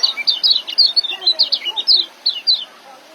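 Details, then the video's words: Young white-eye kept for training caged birds, singing a fast run of high, sweet chirping notes that slide downward, packed closely with brief gaps, over a faint low background hiss. "Suara Ngeriwik dan joss kecial muda untuk masteran"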